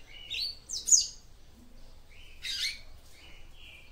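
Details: Female papa-capim seedeater singing to arouse the male with rising whistled notes and squeaky high twitters, then a burst of rasping chirps and a few flat thin whistles.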